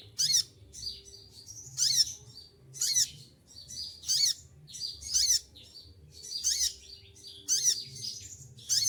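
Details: Olive-backed sunbird in moult, plumage shed, kept as a cage bird, sings loud piercing high notes in bursts about once a second, each a sharp buzzy burst with a short downward slur beneath.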